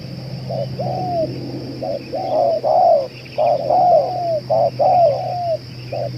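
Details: Spotted dove cooing continuously, a bird said to last two hours and suited as a lure: paired short and drawn-out downward-sliding coos in a loose repeating rhythm, with a constant background hum.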